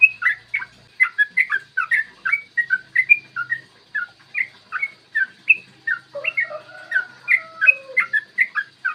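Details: Yellow-vented bulbul singing a long 'ropel panjang' sequence meant to goad birds into singing and fighting: brisk, liquid, chattering phrases repeated steadily, joined after six seconds by a lower, drawn-out descending whistle.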